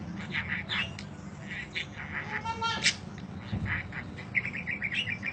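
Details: Long budgerigar chirping meant as tutoring audio: scattered short chirps and squeaks, a buzzy rattling burst in the middle, then a fast series of repeated chirps, all above a constant low hum.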